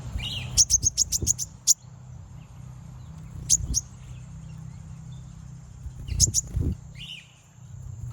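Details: Common iora (konin) calling to provoke rival birds: a burst of rapid, very high, clicking chirps repeated about eight times, then shorter pairs and a later cluster, with softer lower twitters and background hum.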